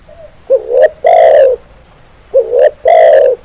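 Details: Close, loud spotted dove calls for training captive doves: a short rising note, a second upslurred note and a longer gravelly coo, the phrase heard twice.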